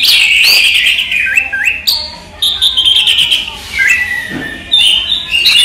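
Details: Orange-headed thrush, a kept songbird, singing by day: rich fluty whistles that rise and fall, mixed with quick chips and short trills, separated by brief gaps.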